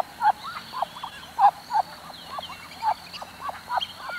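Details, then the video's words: Short, bent calls from a Muscovy duck repeated at an uneven pace, some louder than others, against a faint constant high-pitched hum. "Muscovy duck"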